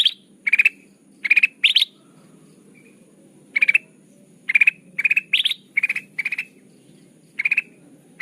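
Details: Lure call of a Sooty-headed bulbul for bird trapping: groups of rapid, chirpy three- to four-note bursts, some with rising endings, clustered together then broken by a silent stretch of about two seconds.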